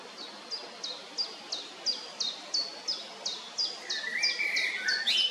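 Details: Eurasian wren calling at the nest in Heerensbos, 22 May 2019: high, clipped descending notes repeated about three times a second, then a lower warbling twitter, with a soft outdoor hiss behind.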